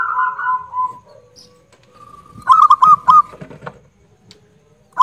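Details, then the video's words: Local zebra dove with a loud voice, singing a tutor song. Wavering coos fade, a soft drawn note follows, then a loud rolling burst of quick ringing notes with faint clicks after. "Perkutut Lokal Suara Lantang - Masteran Perkutut Gacor"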